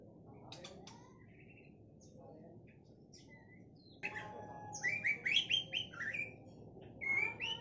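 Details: White-rumped shama of the Sabang type: after a quiet opening with faint clicks and scattered chirps, the bird bursts into a rapid run of varied high whistled and chattering phrases, pausing briefly before one more whistled phrase.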